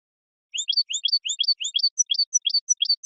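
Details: Male European goldfinch singing to get a female ready to mate. A bright, high phrase of rising slurred notes and sharp chirps repeats rhythmically about every third of a second, clean with no other sounds.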